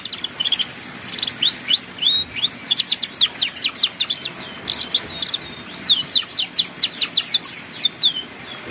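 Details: Ngeriwik-style canary song, a tutor recording for young canaries still learning: fast, bright chattering runs of high downslurred and upswept notes that repeat in quick packed series, steady throughout.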